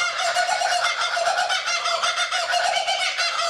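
Two laughing kookaburras call together in a loud, continuous, harsh cackling chorus, rough and rapidly repeated, with no pauses across the stretch.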